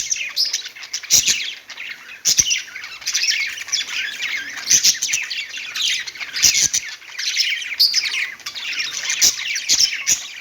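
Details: Budgies singing on a perch: long, unbroken chattering warble mixing chirps, squawky notes and scattered clicks, kept at an even loudness for ten seconds.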